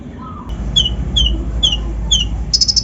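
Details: Untrained brown-throated sunbird (kolibri ninja) singing to provoke other birds: four evenly spaced thin downslurred whistles, then a quick buzzy trill begins, over a low steady hum.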